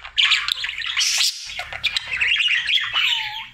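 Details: Domestic budgerigar, a male, singing happily every day: loud continuous raspy chatter mixed with squeaks, ending in a short downward whistled note, light low hum in the background.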